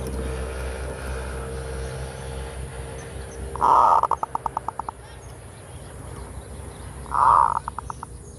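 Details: Zebra dove song used as a lure, in the full kerot style: two loud rough bursts about three seconds apart, each trailing into a quick run of short stuttering pulses, over steady background hiss.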